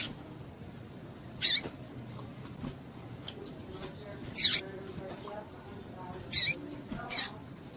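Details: Female double-collared seedeater calls used to make males eager to sing in tournaments. Four loud, abrupt, high-pitched chips at irregular intervals of one to three seconds, with faint background hiss.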